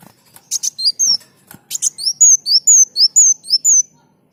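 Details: Sunbird in lively song, used to train other birds: opening buzzy chips give way to a fast string of sharp, high slurred whistles, each swooping up then down, repeated roughly twice a second.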